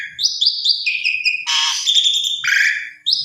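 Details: Lure song from an Asian pied starling to get other birds answering: a quick series of rising whistles, then a loud harsh grating burst and a lower buzzy note, ending with a short whistle.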